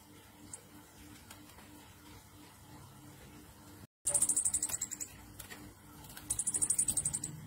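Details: Orange-headed thrush, ngecir nratak lure song meant to stimulate singing in other thrushes: a quiet stretch with a faint tick, a brief cut, then two loud bursts of fast, piercing, evenly spaced trill notes over a low hum.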